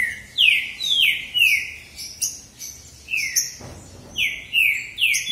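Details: Two male green-winged saltators in a singing contest, one in the bitola style: loud, clear whistled phrases slide downward, sounding again and again with short gaps between them.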